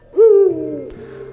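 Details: Eurasian eagle-owl (Bubo bubo), hoot.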